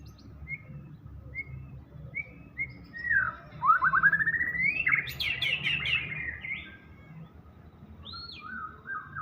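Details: Murai batu, white-rumped shama, singing full isian gacor: soft short whistled notes repeated at intervals, a louder rising buzzy trill breaking into high chatter, then a curling whistle and faint warbling.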